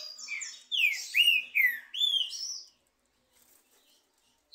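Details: A singing contest between two trinca-ferro birds: a fast run of bright slurred whistles and chirps lasting under three seconds, then near silence.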